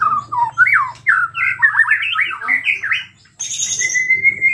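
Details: Singing white-rumped shama, an agitated lure bird for other shamas: a run of loud swooping whistles, then after a brief gap a thin high drawn-out note, with a low electrical hum beneath.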